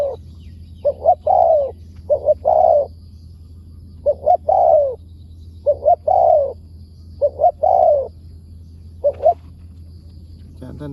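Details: Wild spotted dove, a target bird answering a decoy, called in Thai with good voice and wild-style phrasing; mellow cooing phrases about every two seconds, each two short coos then a longer falling coo, over a steady low hum.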